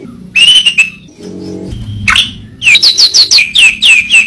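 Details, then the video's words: Murai batu (white-rumped shama) song: a bright level whistle, a steep rising sweep, then a rhythmic string of high downslurred notes about three per second, over a low hum. "Masteran burung murai batu suata unik sukses bikin emosi"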